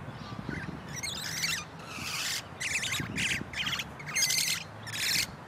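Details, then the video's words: A pair of wild musk lorikeets in a large pepper tree give shrill, rasping screeches in quick half-second bursts, one after another, over a low background rumble. "Beautiful Songs of wild musk lorikeets"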